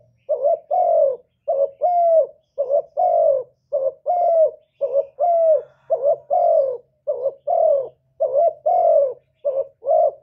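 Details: Decoy spotted dove cooing to challenge wild doves: a steady run of soft, low, hollow coos in short paired and triple notes, roughly one per second, with a faint hum underneath.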